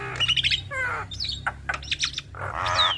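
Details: Black-winged starlings, a male and female pair, trading rapid nasal chatter and descending whistled strokes, ending in a harsh rasping call with a rising whistle, against a continuous low hum.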